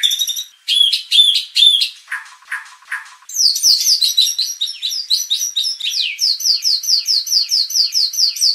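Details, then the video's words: Provocation song of a white-rumped shama for training contest birds' fighting spirit: varied high chirps, a few lower rough notes, then a long run of quick, evenly repeated descending whistles. "pancingan murai batu agar emosi bongkar isian"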